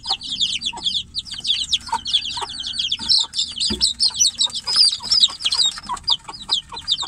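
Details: Chicks held in a cage cry out for their mother outside; insistent shrill descending cheeps from several birds at once, with occasional lower soft notes mixed in.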